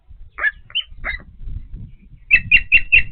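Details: Osprey at the Patuxent River Park nest during feeding: scattered piercing chirps, then four loud, high whistled notes repeated rapidly, with soft knocking and rustling underneath.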